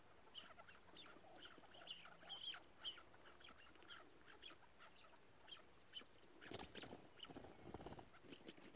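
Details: A tethered chukar partridge used in partridge hunting gives quick, repeated clucking chatter in short bursts through most of the clip, with a spell of loud rustling noise near the end.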